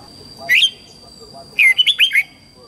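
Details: Red-whiskered bulbul morning song, meant to teach young white-cheeked birds: one rich slurred whistle, a pause, then a lively run of four or five rising and falling whistled notes, over a faint constant high tone.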